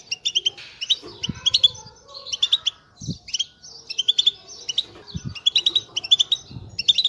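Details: Group chatter of European goldfinches intended to excite breeding pairs and prompt silent birds to sing; steady streams of quick tinkling chirps, several birds overlapping, with a few low knocks heard now and then.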